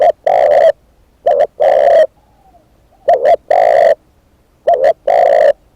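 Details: Spotted dove used as a decoy, giving three rounded phrases after a cut-off opening one. Each phrase is a brief two-part coo and then a drawn-out low note, repeated about every one and a half seconds.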